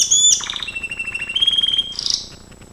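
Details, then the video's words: Brief Gloster canary training song: a high whistled note dropping into a steady rolling trill, closing with a short harsh buzzy burst. "GLOSTER CANARY SINGING Spectacular Beautiful training"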